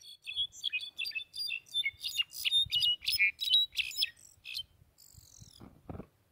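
A European goldfinch sings a fast, tinkling run of liquid twitters and buzzy trills, high-pitched and continuous, ending with a brief low scratchy noise.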